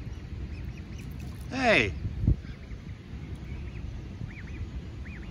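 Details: Adult Canada goose attacking a lost gosling, giving one short harsh harmonic honk about a third of the way in. The gosling's thin, rising-falling peeps repeat faintly throughout, and a dull thump follows the honk.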